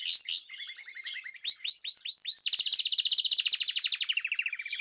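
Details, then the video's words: Several caged birds in chorus on 2026/03/14. Bright rising whistled notes repeat quickly, then give way to a fast, buzzy trill that runs on for over two seconds before easing into steady chirping. "تغريد جماعي للطيور"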